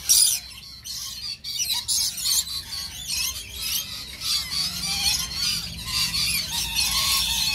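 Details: Pair-bonded lorikeet parrot described as in love, making scratchy squawks and squeals, a loud burst at the start followed by steady high, rasping chatter with a few thin whistled notes underneath.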